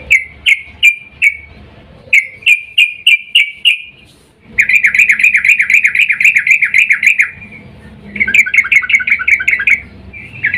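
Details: Female sooty-headed bulbul calling the male in breeding mood, used as a lure: bursts of bubbly, chattering notes, rapid and repeated in short runs, then one longer continuous stretch of rolling notes near seven seconds.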